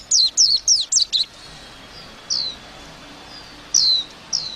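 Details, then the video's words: White-eye singing a chirpy warble: a fast run of five high, steeply descending notes, then sparser single down-slurred whistles after a pause. "tiếng chim vành khuyên hót líu lo"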